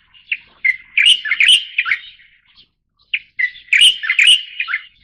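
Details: {'caption': 'A white-variant Light-vented Bulbul (Pycnonotus sinensis formosae) repeats its lively phrase twice, about three seconds apart: sharp opening chips, then a fast tumble of rich slurred whistles. Nothing else is audible.'}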